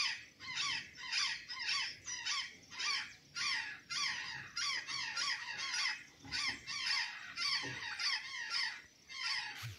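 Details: In Santa Catarina, an azure jay eating banana and sweet potatoes utters a rapid run of rasping, down-slurred notes, about two per second, some overlapping, with a brief low thump near the end.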